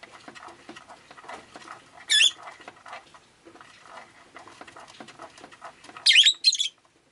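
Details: Rosy-faced lovebird on a rainy day gives three shrill, scratchy chirps, one early and a quick pair near the end, over a steady soft patter of rain.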